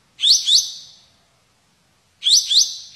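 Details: Two loud double-noted rising bursts, each trailing off, about two seconds apart, from a white-shouldered triller (kapas tembak) singing 'tembakan'.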